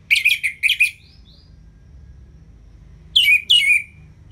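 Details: Orange-headed thrush, ngeplong tutor song: two quick pairs of loud, raspy downslurred notes, a short thin whistle, then a pause before two more strident, sweeping notes.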